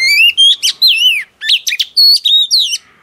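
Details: Wild-caught female oriental magpie-robin in full song to stimulate males: a continuous run of loud, pure whistles, rising glides and quick down-slurred flourishes, briefly broken by one pause midway.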